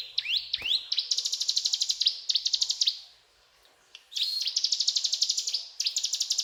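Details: Brown prinia in energetic cetrakan song, a few rising chirps giving way to long, fast, dry rattling trills, high and buzzy, broken by one short silent pause.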